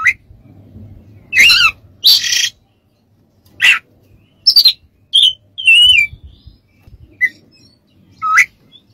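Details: Training song of an Oriental magpie-robin, with scattered rising whistles, rough buzzy bursts and a wavering mid-pitched note, spread out with pauses between.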